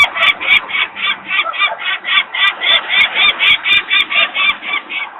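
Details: Peregrine falcon parents screaming in alarm at a nest site in Włocławek, Poland, on 23 May 2022 at 14:51, as workers make noise nearby while young birds stay on the landing: harsh, grating kak notes repeated steadily about four per second.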